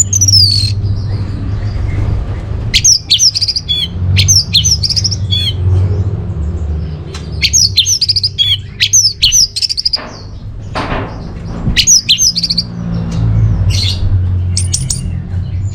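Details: Orange-headed thrush song from Bali used as a lure and master for caged birds: rapid varied chirps and whistled notes in dense bursts with short pauses, low background hum throughout.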